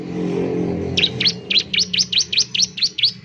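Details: Bar-winged prinia, known locally as ciblek semi, singing to lure other prinias into song. Low engine rumble is heard first, then about ten bright, rising chirps in a steady rhythm.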